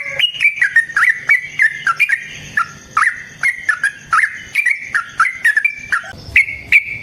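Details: Sooty-headed bulbul pouring out a long rapid song for luring and training other birds: dense, continuous chatter of slurred, bouncing chirps with crisp clicks throughout, barely pausing.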